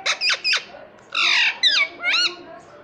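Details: Pet ringneck parrot, a talking bird said to say papa and mummy, gives a run of harsh, rasping syllables: three quick scratchy notes, a long buzzy phrase, then two wavering, voice-like bends, indoors.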